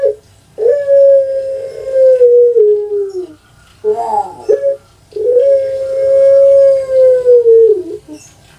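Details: Captive puter pelung dove from Java, Indonesia, bred for a long voice, giving two sustained, even coos of about two seconds each, separated by short gurgling, rolling notes. Indoors, no other sounds.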